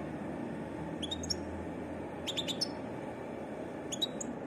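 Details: European goldfinch giving varied song: three short clusters of high, thin twittering notes separated by pauses, over a steady low background hum.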